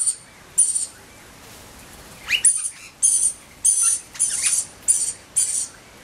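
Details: Rainbow lorikeet chick in spring, crying near its mother, gives about eight harsh, very high, hissing-buzzy bursts in six seconds, each about half a second long and irregularly spaced.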